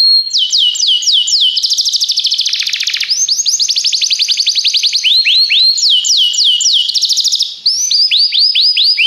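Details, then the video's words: Belgian canary singing as a training song: alternating rapid trills and looping down-slurred whistles, continuous and bright, with a brief pause near the end before more repeated slurs. "o melhor som canário !! treinamento canário belga cantando"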